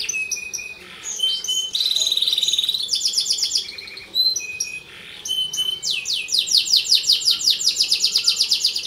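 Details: Caged canary singing a varied song used as a master recording to train other canaries; high phrases of trills, buzzy rattles and rapid repeated notes, ending in a long fast rolling trill.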